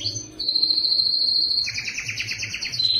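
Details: Belgian canary singing loudly for females in the breeding season, with a long steady high whistle followed by a quick buzzy trill beneath a higher held note.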